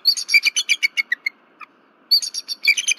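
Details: Night-time vocalizing by a female bald eagle on the Berry College nest, 15 February 2023, alert after a disturbance and calling until her mate arrives. Shrill, fast staccato chitters run in a long string, pause, then resume.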